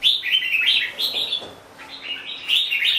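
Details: Red-whiskered bulbul (chào mào bông) in a short, lively bout of bright twittering notes that dips into a quieter stretch. The bout then picks up again with fresh high warbles.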